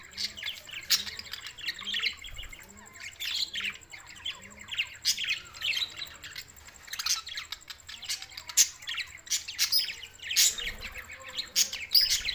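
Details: Flock of budgerigars, June 7, 2024, Larkana, Sindh: long run of continuous twittering and chirping, overlapping scratchy warbles and sharp clicks, steady throughout with a thin high tone and faint low hum behind.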